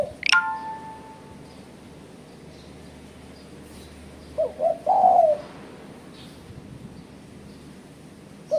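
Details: Spotted dove rival-challenge call used as a trapping lure: a sharp high squeak opens, then after a pause one phrase of quick low hoots ending in a drawn-out coo, and a further hoot begins at the end.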